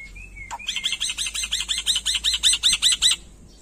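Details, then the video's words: Black-winged myna from Indonesia in energetic, imitation-filled song: a thin rising whistle, one click, then a rapid evenly spaced string of about fifteen arched chirps. "Suara Burung Jalak Putih Gacor Full Isian"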